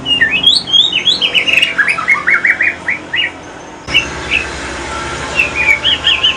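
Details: Male Aceh white-rumped shama, a chatty singer in the pastol style: fast rhythmic series of sharp slurred whistles, a short pause, then softer whistled phrases against a hissy background.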